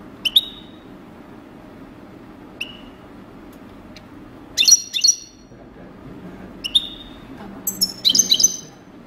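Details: European goldfinch, described as a coupleur, giving scattered high whistled notes with short bursts of tinkling twitter between pauses of one to two seconds, over a faint low background hum.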